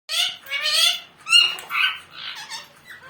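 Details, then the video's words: Pet talking parrot mimicking speech, said to be saying "mummu": a run of harsh, voice-like squawked syllables, with two harmonic-rich drawn notes at the start and then rising and falling speech-like sounds, indoors and up close. "Funny Talking parrot video😱#Bolny wala toota#mitthu saying mummu🤗"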